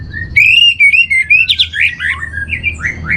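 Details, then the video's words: Orange-headed thrush singing a continuous, varied master song for training: a long rising whistle runs into rapid chattering, slurred notes and warbled phrases, loud and clear against a quiet background. "Menstabilkan Burung ANIS MERAH Dirumah Baik EMOSI & Birahi dengan Mendengarkan Kicauan Masteran ini"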